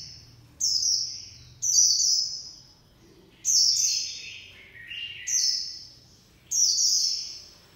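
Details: Japanese white-eye delivering 'líu pha choè' song: five loud, high, sliding whistled phrases about a second apart, some dipping into lower trills, with a faint low hum in the background.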